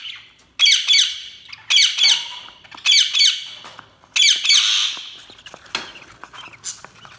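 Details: Budgerigars chirping in loud, harsh bursts, four clustered squawky phrases in the first four seconds, then softer scattered chirps fading out.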